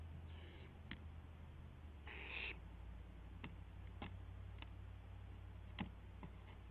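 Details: Barn owl during an owlet's wing testing at 12:06 AM, April 12, 2016: a faint hiss, then one clear rasping screech, with scattered clicks and a low constant hum.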